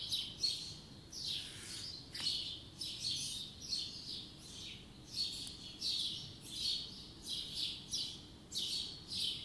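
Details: Birds singing in the morning in spring 2020: rapid high chirps and trills come in short pulsing bursts, layered in a busy overlapping chorus with a faint low rumble beneath.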